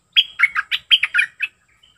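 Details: Sooty-headed bulbul singing, a wild bird used as a decoy for calling others: two quick bursts of bright, slurred chirping notes, each phrase of about four notes dropping and rising, clean and loud over a silent background.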